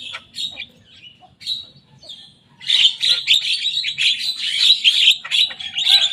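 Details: Young Javan myna singing and mimicking rivals' songs: a quiet opening of scattered chirps, then a dense run of harsh, buzzy and whistled notes packed tightly together.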